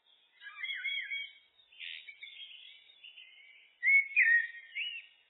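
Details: Blackbird (Turdus merula) giving soft, fluty, wavering whistles, then a louder burst of rich warbled notes after a quiet, scratchy stretch.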